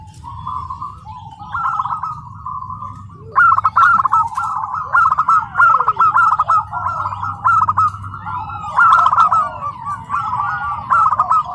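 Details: Tame home-kept local zebra dove at its first training contest in PLN Karawang, Indonesia, singing at the field's edge: soft mellow coos, then stuttering rolled phrases repeated in bursts, with sharp chirps of other birds and a low hum.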